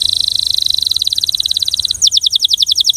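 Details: Belgian canary singing with a beautiful rhythm: fast, evenly spaced high trills of short notes, shifting midway to slower, louder downward-swept whistled notes repeated about four times a second.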